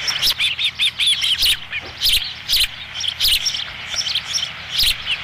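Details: Osprey at a nest on Dunrovin Ranch on 13 July 2016, around the fifth fish delivery of the day: a bright, repeated series of short high whistled chirps in rapid bursts, pausing briefly between runs.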